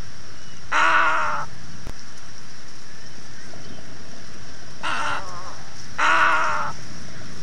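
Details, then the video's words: Three coarse, nasal croaks from a little egret, the first alone and the last two close together, each under a second, against constant hiss. "صوت بلشون صغير غرنوق صغير Little Egret sound"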